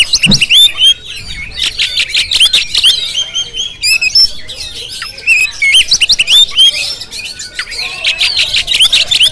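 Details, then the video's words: Oriental magpie-robin of the Jampang kind, recorded on a GoPro, singing loud clear whistled phrases broken by fast clicking chatter, bursts of notes tumbling quickly with short gaps. "Penampilan Kacer JAMPANG yang Tampil Menggoda"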